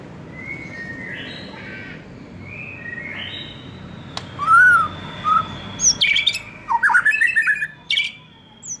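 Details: Young forest-caught white-rumped shama (murai batu) in spotted juvenile plumage. Faint distant whistles come first, then a sharp click, then louder rising slurs and quick bright whistled notes toward the end.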